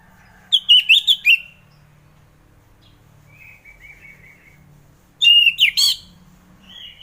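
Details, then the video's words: Orange-headed thrush song to coax a reluctant thrush to sing in the morning: two bursts of loud, rapid warbled whistles separated by a quiet soft subsong passage. "Kicauan Anis Merah || Ngeplong Santai"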